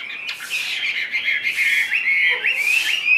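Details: Caged Chinese hwamei whistling a steady string of short rising and falling slurred notes, roughly two per second, over a low hiss, with a few broad noise bursts.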